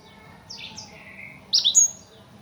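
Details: Blackthroat, a small imported songbird, singing non-stop as a tutor song meant to get nearby birds singing: a few quick high thin chirps, then a brighter cluster of sharp whistled notes near the end, over quiet background hiss.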